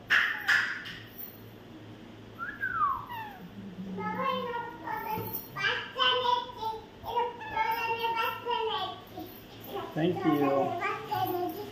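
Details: White parrot talking and playing with a person indoors; jumbled speech-like phrases with rising harmonics, a falling whistled slide early on, and a human voice at the start.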